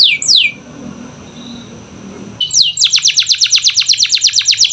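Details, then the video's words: Canary song meant to prompt quiet canaries into singing: two high whistled notes sweeping steeply downward, a near-silent pause, then a fast, even trill of bright descending chirps repeated about three times a second. "Pancingan Kenari Malas Bunyi‼️Dengar Langsung Nyaut Gacor Dor"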